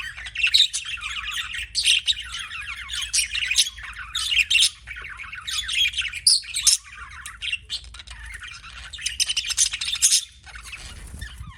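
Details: Lively budgie chirping made of buzzy warbled phrases and sharp high squeaks in repeated bursts, ending in a moment of near quiet.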